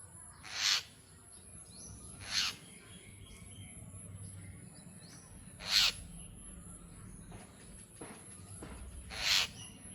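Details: Jungle myna repeating sharp, raspy screech notes four times at uneven gaps of two to three seconds, with soft chirps of other birds between them.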